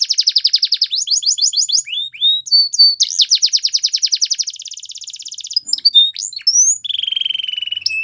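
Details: Canary training song for young birds: a fast rolling trill broken into tours, a soft steady rattle, a few slurred notes, and a final buzzy descending trill.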